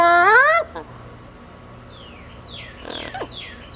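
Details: Pet female double yellow-headed amazon on a cage outing gives a brief upward-sweeping whistle. Faint, soft chirps and squeaks follow over a quiet indoor hum.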